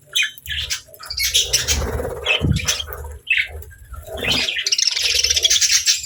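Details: Pet budgies among lovebirds, eating together, chirp in scattered, squeaky bursts mixed with fluttering wingbeats and low knocks, ending in a rising spell of busy, high chatter.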